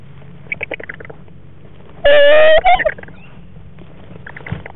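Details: Barred owl in its nest box with a frog for lunch, February 14, 2014; a single loud raspy call lasting about half a second, set among soft clicks and shuffling sounds.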